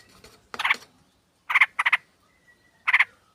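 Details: Lure recording of a sooty-headed bulbul flock, female calling male: a few short, rasping chatter bursts of two or three rapid notes, separated by pauses and a faint thin whistle.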